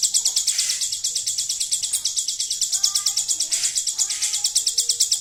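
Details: Hill prinia delivering song with a golden grasshopper fill: steady, high, rasping ticks repeat quickly and evenly, while faint lower whistled notes from other birds sound in the background.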